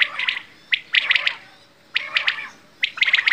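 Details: Batair, or quail, uttering three separate clusters of quick, piercing chirps, each burst lasting under half a second with silent gaps between.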